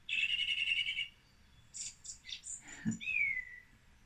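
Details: Song Thrush song from Britain: a fast buzzy rattling phrase, then several varied high whistled and chirping notes, a brief low sound, and a descending slurred whistle, each phrase distinct, in a quiet background.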